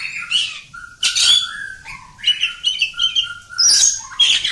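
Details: Oriental magpie-robin (kacer kampung) singing on at length: lower fluty whistles mixed with sharp high bursts and harsh notes, in closely spaced phrases with a faint low hum behind.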